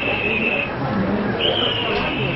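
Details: Red-tailed hawk (Buteo jamaicensis) scream, played at a birds-of-prey talk as the sound films use for eagles: two hoarse, high, drawn-out screams under a second each, over room murmur; finding: Red-tailed Hawk.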